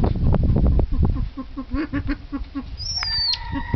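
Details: Male silver pheasant giving a quick run of low clucking notes, then a thin, high whistle that slides downward, over a heavy low rumble.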